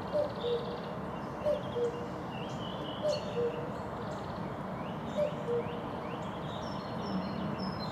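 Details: Cuckoo cuckooing in a forest: a low two-note cu-coo, the second note lower, repeated about every one and a half seconds, with thin chirps of other birds higher up and a steady background hiss.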